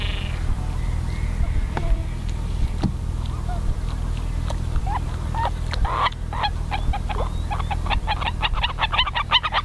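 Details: Black-tailed godwits mating at Ochsenmoor, Hüde, 10 April 2020 at 16:10, giving scattered nasal calls, then a quickening run of sharp, clipped notes in the final seconds, over a constant low wind rumble.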